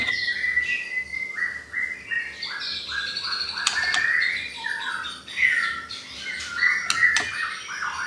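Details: Lure recording of white-rumped shama song meant to provoke other birds: series of short downslurred whistles, then rich warbled phrases with sharp clicks.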